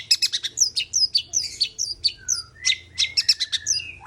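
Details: Long-tailed shrike in full vigorous song: a fast, varied stream of sharp high chirps, whistled slurs and short buzzy notes, delivered in quick bursts with almost no pause, plus one lower whistled note midway.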